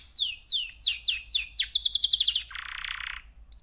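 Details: Three-month-old male canary in song: a rapid series of descending whistled sweeps that speed into a dense trill, ending in a buzzy, rattling burst, loud and clear over faint low hum.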